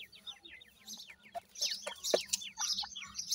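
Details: Grey francolin chicks with their mother during training: rapid series of thin, downward-slurred peeps, about two per second, mixed with sharp clicks and brief bursts of handling noise.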